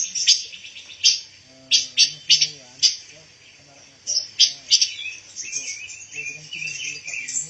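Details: Pancawarna bird, an insect-eating songbird used to fill the song of white-rumped shamas. Loud sharp chirps repeat rapidly, then a twittering warble, while a man talks quietly in the background.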